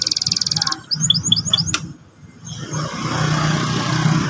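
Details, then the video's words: Young canary song used to coax a young canary to sing: a fast high trill, then four slurred descending whistled notes and a sharp click, followed by rising background noise. "pancingan emosi burung kenari paud !!macet bunyi seketika NYAUT ngeriwik NGEROL"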